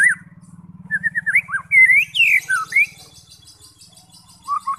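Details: White-rumped shama singing to provoke fighter birds: varied whistled slurs rising and dipping, some buzzy high overtones, over a steady low mechanical buzz, with a short whistled phrase after a pause.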